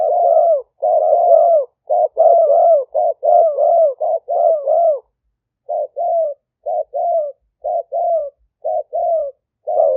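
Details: Decoy spotted dove of an aggressive strain, smartphone-recorded in Roi Et, Thailand, 2021, for trapping wild doves. It opens with a dense, loud run of deep coos, then slows to evenly spaced short-long coo pairs.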